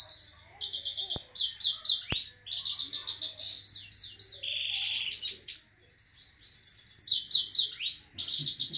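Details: Himalayan goldfinch with a canary in powerful continuous song: dense high twitters, rattling trills and a sustained buzzy note, with a brief lull near the end before the twittering resumes, and two sharp clicks.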